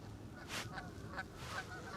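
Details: Canada geese feeding with a flock including brant at Castle Island, Boston, on a sunny winter morning, 3 February, 25°: short, harsh nasal honks, about four in two seconds, over a steady low wind rumble.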